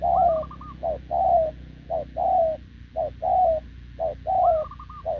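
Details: Wild-caught spotted dove with short legs gives an unbroken run of coos to a decoy, 6 November 2024. Each unit is a clipped note followed by a fuller falling coo, about once per second. A higher trilled call sounds twice.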